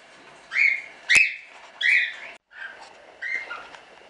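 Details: Standard cockatiels from a small hobby breeding of show birds; loud, rasping, upward-sweeping calls repeated about every half second, with a sharp click, then softer similar calls after a short gap.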